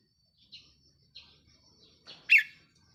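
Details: Caged red-whiskered bulbul kept as a decoy bird, recorded 4 May 2023; faint scattered chirps build to one loud, bright warbled phrase near the end, with softer notes around it.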